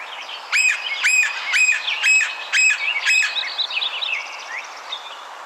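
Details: Red-breasted Sapsucker: a series of six harsh, buzzy call notes about half a second apart, followed by softer scratchy notes trailing off.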